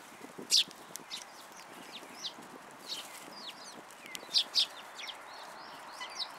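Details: Sparrows gathering for food on a raised platform at a Tenmangu shrine, February 14, 2023; sparse high chirps, one loud note at the start and a close pair of sharp chirps later, over soft background noise.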